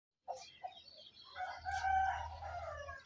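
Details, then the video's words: Rooster at mating time: a few short clucks, then a drawn-out, harmonic crow that swells and holds steady for over a second before fading, with a low rumble underneath. "rooster real matting time"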